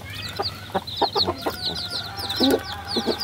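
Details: Baby chickens cheeping, high slurred peeps from several chicks alongside softer lower chirps, over a faint steady hum.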